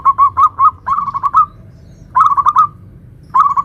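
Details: Zebra dove in "nutut" song, a local lively singer used to lure other zebra doves: short phrases of four to six quick, warbling coo notes separated by pauses of about a second.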